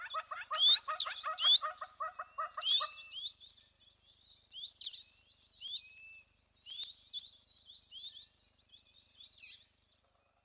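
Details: Female Giant Kingfisher at a lodge hide in the Olkirimatian Conservancy, South Rift Valley, southwest Kenya: a rapid, harsh rattle of stacked notes lasting about three seconds, mixed with sharp, high upslurred calls. Quieter chirps from other birds follow.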